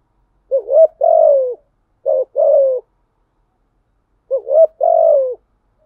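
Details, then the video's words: Spotted dove song used to attract wild doves, thổ voice: two quick two-part coos, a rising hoot then a falling drawn note, followed by a long pause and a third matching phrase. "Tiếng Cu Gáy Giọng Hạp BổI ĐỦ BÀI ( GÁY GỌI,THÚC,GÙ )"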